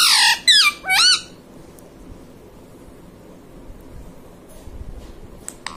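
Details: Pet ringneck parrot mimicking mummy papa: three quick, harsh, wavering syllables in the first second and a half, then a long quiet room with faint clicks.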